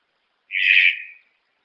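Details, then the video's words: Red-breasted toucan giving a single coarse, rasping croak lasting under a second, fading at the end, with nothing else heard. "Canto do tucano-de-bico-verde"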